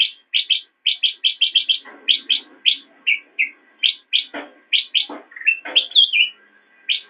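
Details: Black-crested bulbul, master song for training caged songbirds: rapid strings of bright, clipped whistled chirps, several per second, broken by a few lower slurred phrases and some softer rattling notes underneath.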